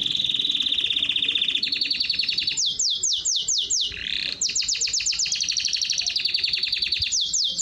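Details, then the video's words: Canary song meant for training birds and stimulating females to mate: rapid trilled phrases, a steady high buzzy trill, then a run of quick descending whistled notes, another fast trill and more falling sweeps, continuous and loud throughout. "اقوى تغريد كناري للتسميع و تهييج الانات للتزاوج حصريا canary singing training"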